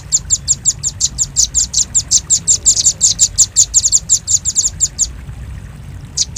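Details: Velvet-fronted nuthatch lure sound for attracting birds: an even, rapid string of bright, high-pitched chips at about three per second for five seconds, then a pause and one last note; low hum in the background.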